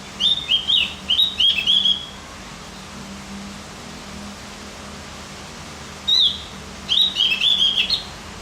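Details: Javan grey-throated white-eye, stimulating song: a fast chattering series of high chirps, silence for several seconds, a single clear note, then another rapid twittering run.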